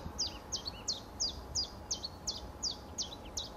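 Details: Chiffchaff song of thin, high descending notes delivered in a brisk, slightly uneven series of roughly three per second over faint low rumble.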